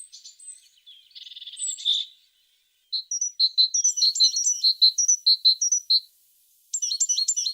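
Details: Singing tit: soft high notes, a buzzy rasping burst, a pause, then a run of clear repeated high chirps and a final quick twittering phrase.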